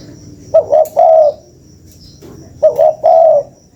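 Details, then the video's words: Spotted dove lure call heard twice, each phrase a pair of short coos leading into a sustained soft coo, with a faint click between them. "SUARA PANCINGAN BURUNG TEKUKUR"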